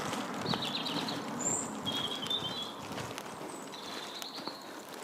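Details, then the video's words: Blackbird song before dawn at 6:45 in Midhurst, West Sussex, on a dark morning walk to work: short high whistled phrases with slurred ends, about one every second, over a low murmur and soft footsteps. "Svartþrestir syngja í nóttinni"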